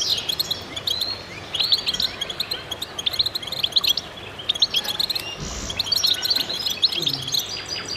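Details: Several goldfinches singing in concert, a continuous tinkling jumble of sharp chirps, twitters and short trills from many birds at once, with a brief louder buzzy note near the end.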